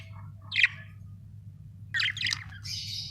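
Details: ['Budgies giving two bursts of scratchy chirping: a short harsh note, then after a pause a rapid run of chattering chirps that trails into a buzzy wavering tone, over a steady low hum.']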